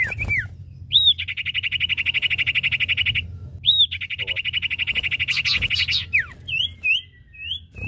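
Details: Male and female Common Iora singing vigorously: a long, even, buzzy trill held around one pitch, broken by a sharp rising-falling whistle and resuming, then scattered short upslurred whistled notes near the end.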